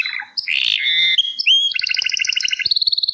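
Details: Gloster canary song fragment: a harsh rasping note and short whistles, then a steady run of clear repeated notes at about eight per second, ending in a higher-pitched series.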